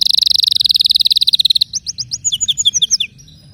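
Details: Canary song with a long rapid high trill of evenly spaced notes that slows slightly, followed by a varied series of separate quick, sweeping whistled notes at a brisk pace.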